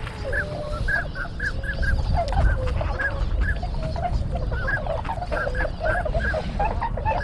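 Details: Tundra swans (Bewick's swans) at Sugo-swamp, Bando, Ibaraki, Japan, where hundreds arrive yearly, recorded 6 January 2020 with a GoPro HERO7 among pintail ducks: many overlapping nasal honks in quick succession, with a steady low wind rumble beneath.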